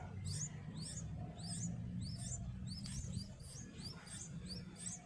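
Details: Yellow-vented bulbul (Pycnonotus goiavier) at a backyard nest, with parents caring for chicks: thin, high, down-slurred chirps repeated about twice a second, over a steady low rumble.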